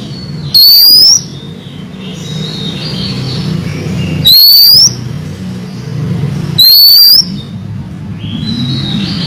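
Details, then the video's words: Female oriental magpie-robin calling the male: three loud, rising whistled notes, each about half a second long, spaced roughly three seconds apart, over steady low background noise. "Pancingan siulan kacer betina memanggil jantan"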